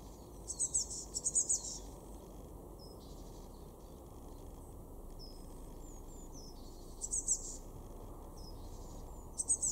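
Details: Blue tit, a garden bird in Weener, East Frisia, far northwest Germany, February 2024: short clusters of very high, thin, rapid chittering notes near the start and end, with faint sliding high whistles between, over steady low rumbling background noise.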